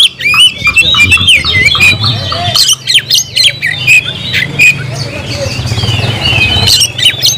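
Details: Oriental magpie-robin pouring out a dense, varied song of harsh rasping notes mixed with clear whistled slides and chattering bursts, over a steady low mechanical hum.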